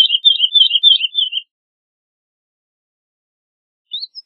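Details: Short Woodlark (Lullula arborea) phrase: about a second and a half of rapid, slightly wavering high notes, followed by silence and a faint rising fragment at the end.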